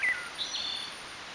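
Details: Wood thrush singing on May 9, 2012, the first of that spring: a short whistled note slides down, then a high, airy trilled flourish follows after a pause, with faint background hiss throughout.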